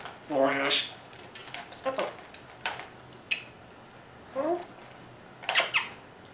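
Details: Female African grey parrot mumbling while eating indoors, a typical grey habit, with speech-like phrases in imitated male and female voices; short bursts of syllables and squeaks separated by pauses, in a quiet small room.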